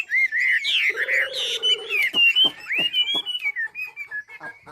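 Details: Chinese hwamei from Ha Giang, Vietnam, in song used for training birds to sing: loud clear whistled phrases sliding up and down, rapid sharp notes after, and a low buzzy band partway through.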